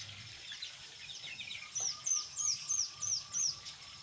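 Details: Lure song of a brown jongkangan, lively ngeriwik style with ngeplong, to prompt untrained jongkangan to sing: soft chatter, then from near two seconds six clear, high, downward-sliding whistles at a steady quick rhythm.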